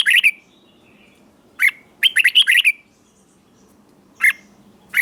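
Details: Red-whiskered bulbul song played to excite caged bulbuls and teach young birds, southern master-song style from Thailand: short bright chirped phrases, one quick rapid cluster mid-clip, then single notes after long pauses, over faint low hum.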